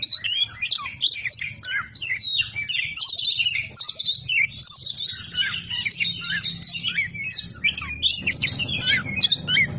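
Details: Oriental magpie-robin (kacer) 'ngobra patah' song meant for masteran training, Indonesia: fast unbroken warbling of sweet whistles and chattering phrases, with a low background noise rising near the end.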